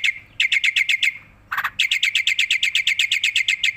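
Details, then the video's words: Tame black-winged myna singing actively while bobbing its head: rapid runs of sharp, bright chirps, about seven notes in half a second, broken by a short pause and one harsh, rasping burst, then a long steady run of identical chirps. "burung jalak putih jinak gacor mangut manggut"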